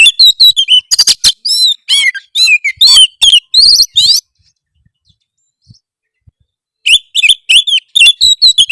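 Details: Oriental magpie-robin giving a harsh song meant to provoke rivals: loud bursts of sharp, rapid, scratchy and whistled notes, high-pitched and varied, a silent gap of nearly three seconds, then the chattering phrases resume; no other sounds.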